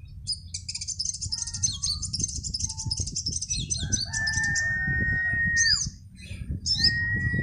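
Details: Sunbirds pitted in a singing contest late in the afternoon, about four o'clock: a long burst of rapid, very high twittering, then a drawn-out whistle and a few sharp slurred chirps, with a low rumble beneath.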